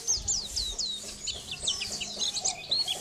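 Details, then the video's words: A white-eye (pleci) in strong, full song, used as a tutor recording for songbirds: a fast, high, unbroken chattering of thin whistled notes and quick downward slurs, with no other sounds behind it. "Masteran pleci gacor"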